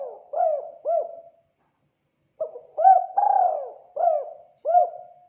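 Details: Spotted dove call played to attract wild doves: low, soft coos ending one phrase, a pause, then a full phrase of short rising notes, a long falling coo and two hooked coos.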